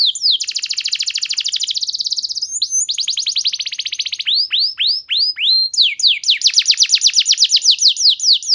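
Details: Canary lure song: extended fast rolling trills broken by swooping downslurred whistles, then another long rapid trill, loud and clear with no background sound.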